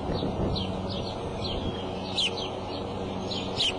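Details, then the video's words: Bald eagle on the Decorah eagle cam nest, April 5 afternoon: soft, high, falling chirps in an uneven series, with two louder, sharper squeals standing out, over a low electrical hum. "mom up calls and out; dad in"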